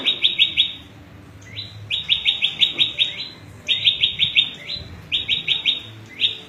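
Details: Repeated quick bursts of sharp, upward-sweeping chips from a prenjak lumut, a small prinia, whose song serves to train cage birds and attract wild ones; short gaps separate each rattling series.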